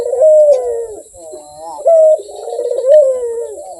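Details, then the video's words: Barbary dove producing a smooth, purring coo that falls in pitch, a level sustained tone, then another descending rolling coo, clean and close. "SUARA BURUNG PUTER GACOR || BERSUARA MERDU"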